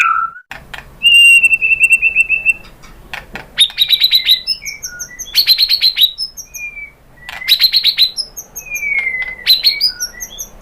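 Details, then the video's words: Rich white-rumped shama song used as a lure for other birds to answer: a steady trilled run, then bursts of high rapid notes alternating with long descending whistles. "KICAUAN MURAI BATU bikin NYAUT ikut BUNYI GACOR NGEPLONG BONGKAR ISIAN ¦ PANCINGAN MURAI"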